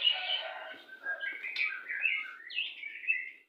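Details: White-rumped shama, Pastol type, singing to stimulate breeding condition during pairing: a brief continuous warbled run of blurred, slurred whistles sliding between low and high notes.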